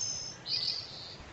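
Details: A parakeet, during a singing lesson in which its owner sings a Chinese song line by line for it to copy, gives a thin, high whistle, then a short burst of bright, chattering warble lasting under a second.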